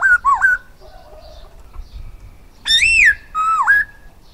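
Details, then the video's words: Black-throated laughingthrush singing, a lure-bird song: loud, rich fluting whistles that swoop down and back up, in two bursts separated by a quiet second or so. "Khướu bạc má hót"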